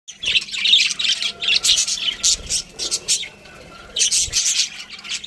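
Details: Budgerigars chirping in a busy, overlapping chatter of high squeaky notes and warbles, bursts coming in rapid clusters with brief pauses between them.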